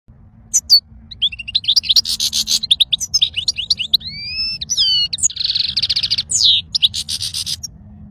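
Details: European goldfinch singing a lively, high twittering song: rapid liquid chirps and trills mixed with buzzy rattles and a few clear rising and falling whistles, delivered in bursts with brief pauses, over a low background rumble.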